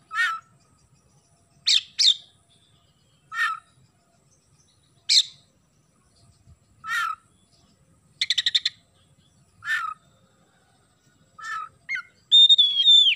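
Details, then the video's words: Oriental magpie-robin giving a sparrow-filled song: single harsh chirps and doubled notes spaced a second or two apart, a brief pulsed rattle, then a burst of clear, sliding whistles at the end. "KACER GACOR ISIAN GEREJA"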